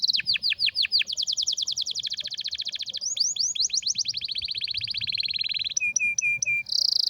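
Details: Canary song of rapid sweeping whistled notes running into long fast rolling trills, then a set of short clipped notes and a closing high buzzy trill.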